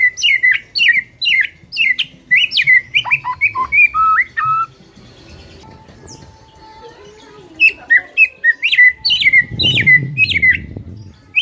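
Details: White-rumped shama in full song, meant to spur a silent shama into singing: rapid repeated upslurred whistles and chips, a pause with faint rustling, then another fast burst of whistled notes.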